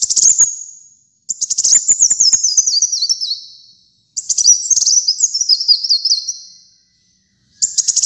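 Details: Kolibri muncang sunbird in full gacor song for masteran and lure use: high thin twittering phrases, each sliding down in little steps, repeated with short pauses over about eight seconds.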